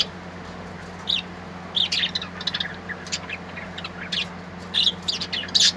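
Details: Small birds singing in short, high chirping bursts, scattered irregular twittering notes in clusters over a steady low hum.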